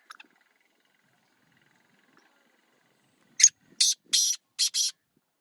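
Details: Black francolin, known locally as kala teetar, calling: after a quiet start, a loud grating phrase of five harsh, buzzy bursts in quick succession, the middle ones longest, against a silent background.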